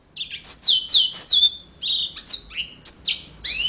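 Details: Energetic song of a yellow-fronted canary, with high, clear whistles that swoop downward, mixed with short sharp chirps in a quick, uneven rhythm.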